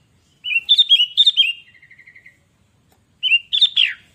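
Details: Sooty-headed bulbul, kutilang, in lively song: bright bubbly whistled phrases of quick rising and falling notes, a short trill of evenly spaced pips, then after a pause another chattering phrase ending in a downward slur; quiet background.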